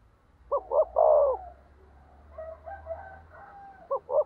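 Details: Spotted dove decoy meant to provoke rival doves: a cooing phrase of short notes and a long coo, then fainter distant coos over a low steady hum, ending with two more short coos.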